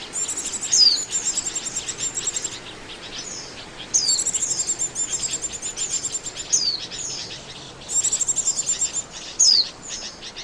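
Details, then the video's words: Oriental white-eye calls used as a trapping lure: dense, high, rapid chattering trills in bursts, with sharp descending whistled notes roughly every two to three seconds, several birds overlapping over a steady faint hiss. "SUARA PIKAT BURUNG PLECI"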